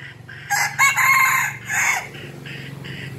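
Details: Red junglefowl, five months old, gives a fierce, strained crow lasting about one and a half seconds, broken into harsh rasping segments, then a couple of fainter short calls against a low background hum.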